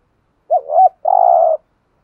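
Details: A single spotted dove phrase from a male and female pair cooing to stimulate a trained bird: a short rising-falling double note, a tiny gap, then a half-second rolling, trilled coo.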